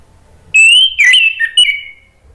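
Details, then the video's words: Orange-headed thrush song, used as a lure to get birds singing in reply. A long clear whistle leads into a few twisting, rich notes and then a falling, trailing whistle. "PANCINGAN ANIS MERAH biar ikut NYAUT jadi BUNYI GACOR NGEPLONG"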